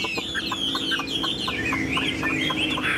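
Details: Tame caged Chinese hwamei singing from a hand-carried cage, showing fine posture; a wavering high whistled line runs over rapid short notes repeated about four times a second.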